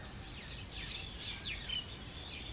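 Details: Territorial fight between groups of common mynas during summer breeding, with jungle babblers acting as mediators: loud, screechy, looping squawks and a few sharper whistled notes, tumbling one after another over constant low rumble.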